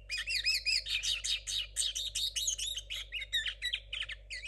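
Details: Linnet hybrid hatched in 2022, a learner with a still messy song: a continuous fast stream of twittering, warbled notes and wavering whistles lasting the whole stretch, with a low steady hum underneath.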